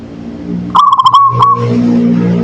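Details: Local zebra dove singing manggung: one trilled phrase of quick pulsing coos, then a final note and a fading held tone. A steady vehicle-like rumble rises behind it.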